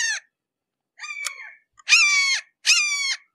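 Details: Red-shouldered hawk at close range giving a series of screaming calls, two fainter and broken followed by two strong downslurred screams in quick succession.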